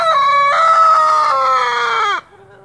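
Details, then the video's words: Close, loud crow from a white splash Brahma rooster: a sustained, steady-pitched call of about two seconds ending in an abrupt downward break. "white splash brahma rooster crowning"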